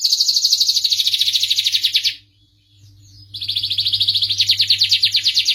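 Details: High, fast, buzzing trill from a starblue canary, pulsing rapidly for two seconds, breaking off into a brief pause with faint soft notes, then resuming as another long rolling trill; a low steady hum runs beneath.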